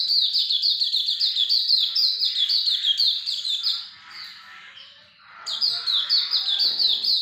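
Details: Hume's white-eye chattering continuously in high, thin descending notes more than three per second, pausing around the fifth second, then returning just as fast and loud.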